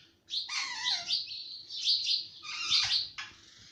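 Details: Domestic ringneck parrot mimicking speech, producing three loud, harsh, buzzy outbursts with warbling, word-like inflections, each about a second long, indoors with little other noise.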